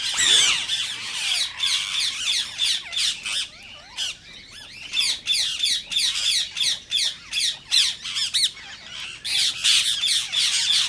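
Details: Indian rose-ringed parakeet calls offered to prompt other parakeets to sing and mate: many short, shrill, chattering squawks in quick bursts with brief gaps, a busy, overlapping flock-like texture.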